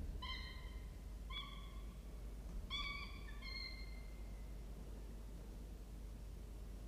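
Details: Three-week-old falcon nestlings, thought to be a male and a larger female, utter four plaintive harmonic wails within about three seconds, two nearly overlapping, before a quiet stretch with only a low steady hum.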